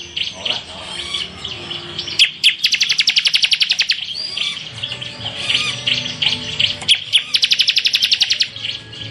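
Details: Bar-winged prinia (ciblek) singing semi full tembakan for a masteran tutor track: soft warbling opens, then a long run of fast, shrill repeated chirps, more warbling, and a second chirp volley.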